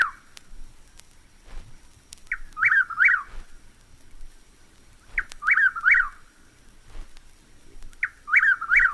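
A Chuck-will's-widow repeats its rolling, whistled chuck-will's-wid-ow phrase about every three seconds, with a quiet background.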